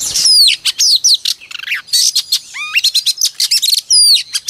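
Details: Oriental magpie-robin hen giving her morning lure song to set males singing: a dense, fast stream of clear whistles, downward and upward slurs and crisp chip notes, nearly continuous with short gaps.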